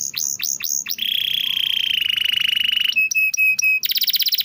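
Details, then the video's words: Canary, described as singing diligently, used to bait silent canaries into singing: three quick downswept notes, a long steady buzzy roll, evenly spaced whistled pips, then a bright fast trill. "masteran burung kenari rajin bunyi cocok buat pancingan kenari susah bunyi/macet"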